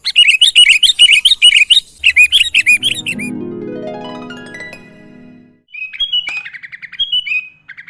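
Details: Kutilang, or sooty-headed bulbul, singing a rich mimic-filled master song for training other bulbuls: fast rattling bubbly phrases for two seconds, then sustained plucked, harp-like musical tones, then scattered sharp slurred whistles.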